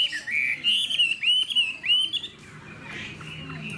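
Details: Spirited caged hwamei with a fanned tail, described as very lively. It sings rich, bright, whistled phrases that rise and fall for about two seconds, then fades into quieter background sound.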